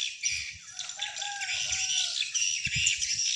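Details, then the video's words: Playback of swiftlet calls meant to attract wild swiftlets to a swiftlet house: a steady high, rasping chatter of many birds, joined midway by a few lower wavering whistled notes. "Swiftlet Sound"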